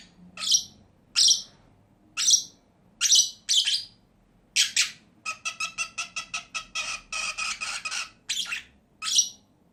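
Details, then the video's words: Two pet lovebirds trade piercing high shrieks roughly every second, then break into a fast, rattling stream of rasping chatter before returning to single shrill calls. "CİCİKUŞ SESİ----Cennet Papağanı"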